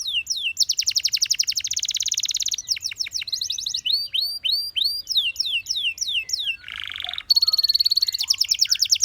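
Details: Canary song made of long fast trills, runs of arched whistled notes, a brief low buzzy burst, then a bright steady note overlaid on rapid rolling pulses.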